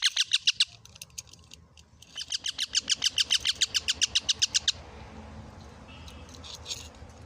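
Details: Parrot that has eaten a tomato screeches in harsh, rapid, evenly spaced notes, first a short burst, then a long run of about twenty after a brief pause, ending in quieter chatter.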